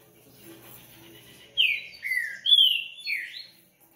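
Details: Coleiro singing four clear, loud whistled phrases in quick succession, each a short downward-slurred note, over a quiet background.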